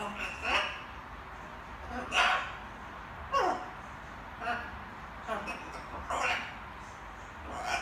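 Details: Evening babble from a little captive macaw rehearsing words: a series of brief, raspy, speech-like syllables, some sharply peaked, repeated at uneven intervals in a quiet indoor room.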